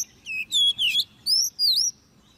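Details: Caged Oriental magpie-robin, hand-reared and ten months old, in competition singing: a quick series of five clean, loud whistled notes, some rising, one sweeping down and up, over a quiet background.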